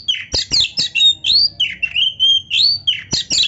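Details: Oriental magpie-robin (kacer) delivering rich fill-in song: loud clipped whistles and slurred notes follow one another almost without pause, some rising, some dipping, with a short clear level whistle midway.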